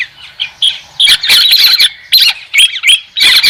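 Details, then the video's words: White-crested laughingthrush, clean recording free of background noise: bursts of loud, harsh chattering and squawky notes mixed with short whistled phrases, in several separate bouts. "TIẾNG CHIM HÉC SOAN-CHIM ĐẦU TRẮNG KHÔNG TẠP ÂM"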